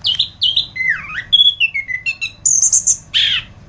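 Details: Orange-headed thrush on a masteran recording delivering a short sequence of clear whistled phrases, some dipping then rising, stepping down in pitch, then high thin trills and a final harsh burst.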